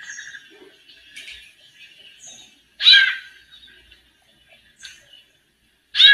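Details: Female White-necked Thrush performing male-like song while warming up: soft chattering and twittering at first, then sudden loud harsh harmonic bursts near the middle and at the end.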